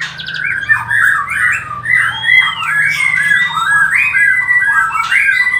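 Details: White-rumped shama song played to stimulate mating, a continuous busy stream of rich whistled and chattering phrases around the mid-high range, with a rising-falling arched whistle, slightly squawky and dense throughout.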